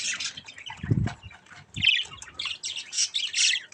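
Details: Colourful young budgerigar chicks playing with a mirror give bursts of high, scratchy chirps and squawks, with a few low thumps and bumps in between.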